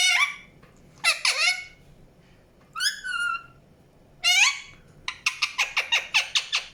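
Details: Natural chirping from an Indian ringneck parakeet: separate upward-swooping screechy calls spaced about a second apart, followed by a fast run of short sharp chirps.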